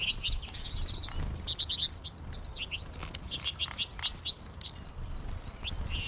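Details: American goldfinch flock in March, with birds calling from the trees above: dense, bright, high twitters and short chip notes tumble over one another in rapid overlapping series, with light low background noise.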